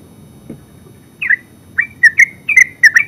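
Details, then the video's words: Yellow-vented bulbul (terucuk) giving 'ngeropel' song: after a short quiet start, a string of bubbly, slurred notes arrives at about one per quarter second, increasingly loud, over faint low rumble. "Terucuk full suara ngeropel"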